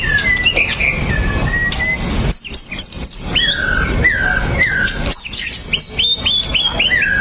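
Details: Murai batu, the white-rumped shama, in nonstop lure song for prompting other shamas to sing: looping whistles, high stuttering trills, a run of repeated descending slurred notes, then more trills ending in clipped upslurs.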